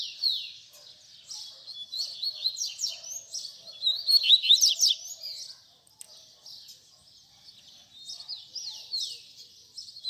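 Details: Double-collared seedeater fibra song for training young birds to sing: long run of fast, varied chirps, slurred whistles and trills, peaking in a loud rapid burst mid-way before softer twittering.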